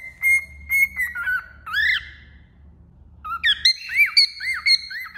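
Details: Cockatiel singing while perched on a finger. Steady whistles give way to a rising, arched note, then after a pause a run of bright, looping whistled notes with rich overtones.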